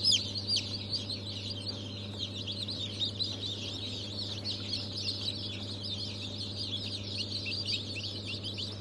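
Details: Many newly hatched Brahma, Fizan, Australorp and Legbar chicks from a 3 March 2023 hatch keep up a dense, even wash of shrill overlapping peeps above a low continuous machine hum.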